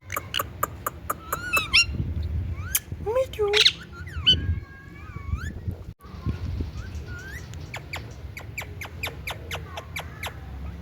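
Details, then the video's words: Indian ringneck parrot giving a series of sharp, clicky high notes and several drawn-out whistled squawks that rise and fall, with a constant low rumble behind. "BEAUTIFUL INDIAN RINGNECK PARROT"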